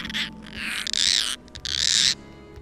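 A European Roller gives three harsh, rasping, crow-like calls, each about half a second long, with brief pauses between them.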